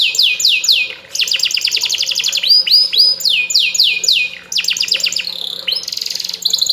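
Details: Canary singing to get another bird to respond; varied rapid trills of repeated falling and rising sweeps, broken by a brief pause, followed by a fast buzzy rattle and more bright whistled phrases.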